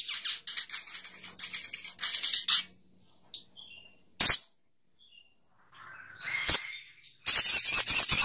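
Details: Sogok ontong bird with a scratchy high chatter, then two isolated sharp notes separated by pauses, and a final rapid rattling series of harsh notes.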